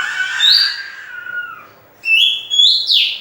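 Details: Oriental magpie-robin song for stimulating other birds: a long descending whistled phrase, a brief pause, then rising clear whistles ending in a sharp slurred note.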